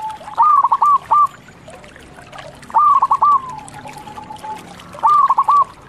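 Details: Local zebra dove giving loud short phrases: a few quick cooing notes, each phrase repeated roughly every two seconds, with quiet gaps between.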